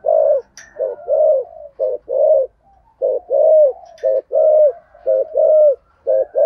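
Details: Spotted dove calling, a decoy bird in the Vietnamese 'giọng thổ' cooing style; mellow low hooting coos in groups of two or three notes, repeated steadily across the clip with faint background sounds.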